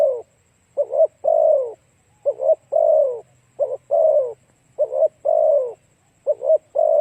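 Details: Spotted dove cooing as a lure to stir up other doves: four phrases in seven seconds, each a quick double coo followed by a longer, low, falling croon, with a faint steady high whine throughout.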